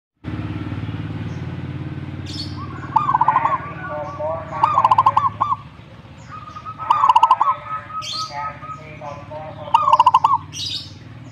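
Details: Zebra dove singing and answering another bird: four rapid, pulsed cooing phrases that stutter and roll, spread through the recording, with faint higher chirps from other birds and a low hum early on.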